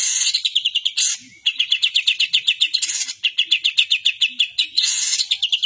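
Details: Long-tailed shrike singing a mimicked 'kapas tembak' song of another bird: long runs of rapid, evenly spaced chirps, around six per second, broken by harsh, hissy bursts.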